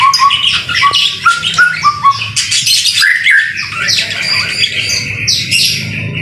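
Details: A white-rumped shama sings in the rain. Brisk whistled notes repeat at a steady pitch, then give way to dense, high, scratchy phrases with rapid pitch jumps, over a soft low rumble.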